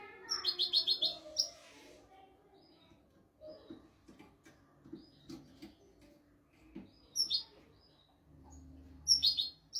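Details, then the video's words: European goldfinch song used as a tutor recording for training goldfinches and canaries; rapid bursts of high, bright twittering notes at the start, near seven seconds and at the end, with soft low rustling between phrases. "تغريد طائر الحسون ملكي حفاضة لتعليم طيور الحسون والكناري بدون أخطاء"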